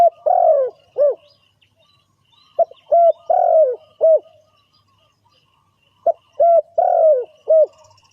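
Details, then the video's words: Spotted dove calling, used as a lure for trapping birds: loud, low, hollow cooing phrases, a short note then a longer rolling coo, given in three bursts about every three seconds with silence between. "Suara Tekukur"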